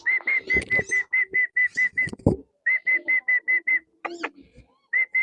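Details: Tame wandering whistling ducks, released to wander free in swampy rice-field country, give rapid runs of clear, level whistles, about four per second, broken by pauses, with thumps and a brief harsh sound between runs.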